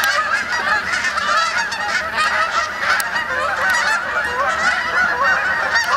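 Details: A large flock of Canada geese flying in to roost for the night on the main pond at Sapsucker Woods, Ithaca, New York, on 28 October: a dense, continuous chorus of overlapping nasal honks with occasional sharp clicks.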